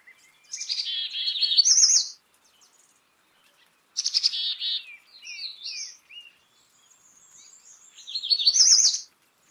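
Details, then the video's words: Black-capped chickadee making harsh, buzzy, scratchy call notes in three bursts, each a rapid series of rough sounds separated by short quiet stretches. "Black capped Chickadee Song ! Black capped Chickadee Sound ! Black capped Chickadee Call"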